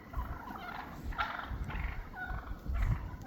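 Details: Wild turkeys in a flock after a snow storm, gathering again after months apart and establishing their pecking order; rough, low rattling gobbles and clucks come in bursts, with laughter and other human voices nearby.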